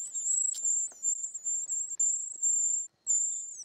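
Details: Short-toed treecreeper young being fed in the nest, an almost continuous, very high, sibilant whistling hiss with a short pause near the end, plus faint clicks.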